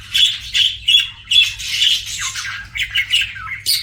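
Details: Pet budgerigar chirping indoors: a busy run of short, scratchy, high chirps and squawks, bursts roughly every half second with brief dips between, some notes bending downward; faint low hum underneath.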